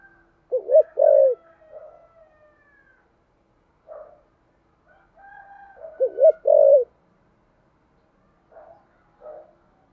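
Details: A 'thổ sấm'-voiced spotted dove doing 'thúc gù' cooing: two strong phrases of quick hoots ending in a long mellow coo, separated by softer, quieter coos and murmurs.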